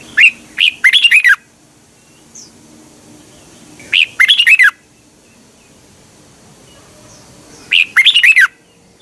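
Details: Caged Red-whiskered bulbul training song from Thailand, played each morning. Three bright phrases, spaced roughly four seconds apart. Each phrase opens with a sharp note, followed by a tumbling run of four or five sweet, slurred whistles. Quiet background hum.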